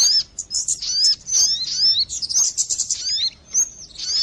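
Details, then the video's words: Lure recording of sogon bird: rapid high-pitched twittering with sharp slurred whistle notes, packed into busy phrases separated by brief silent gaps. "suara pikat burung sogon"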